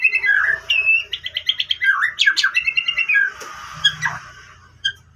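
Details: Canary-phrased lure song of a white-rumped shama: a dense, quick warble of slurred whistles and fast repeated chips, growing busy and harsh, then fading to scattered notes.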